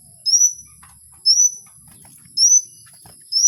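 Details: Kowul in the wild repeating a single high, thin, rising whistle about once a second, four times, against faint low background sound.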